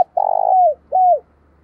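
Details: Close, loud morning coo of a decoy spotted dove used to lure wild doves. A long, throbbing, buzzy coo slides downward, followed by a shorter falling coo.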